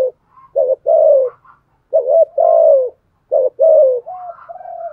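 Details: Lure spotted dove cooing to rouse rival males; three low hollow phrases about one and a half seconds apart, each a short note then a drawn-out coo, with soft trailing notes.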